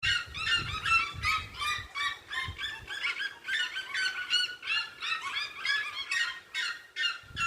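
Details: Red-legged seriemas singing together at dusk on a farm, one yelping in a loud, harsh, fast series of cackling notes, about two or three a second, with some low thumps early on.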